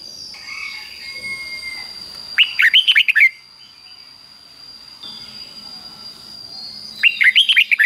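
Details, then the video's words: Caged red-whiskered bulbul singing the doubled 'beun' style phrase 'fik-jik-fok', used to teach young birds: two quick bursts of rich, bubbly whistled notes about four seconds apart, over a constant thin high whine. "นกเบิ้ลอาชีพง่ายๆ ฟิก-จิก-ฟก ล้วนๆ เปิดไห้ลูกนกฟังทุกวันติดแน่นอน"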